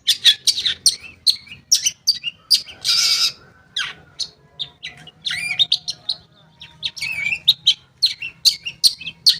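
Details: Long-tailed shrike song as a lure for shrikes that no longer sing: a busy, varied stream of chips, twitters, harsh buzzes and short whistles, fast and irregular.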